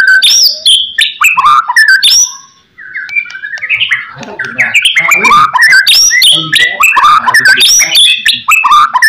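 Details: White-rumped shama song used as a master recording to make other shamas answer: a dense, varied run of whistled notes, rising and falling slurs and sharp chips, with a brief pause near the middle.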